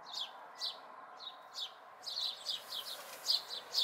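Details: House sparrow fledglings among local house sparrows, May 2020: short, sharp, high chirps, widely spaced at first, then quicker and overlapping in the second half, over a faint low background hum.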